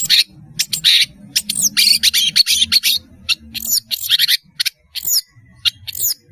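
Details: A long-tailed shrike in full, lively song pours out dense, rasping chatter mixed with thin high squeaks and short slurred whistles, the phrases tumbling almost without pause.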